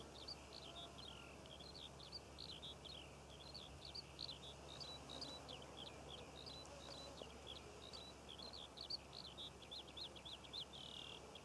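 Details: Skylark song in June over Cornwall's poppy fields: a sustained, tumbling flow of high chirrups and quick trilled notes running the whole time, over faint continuous low noise.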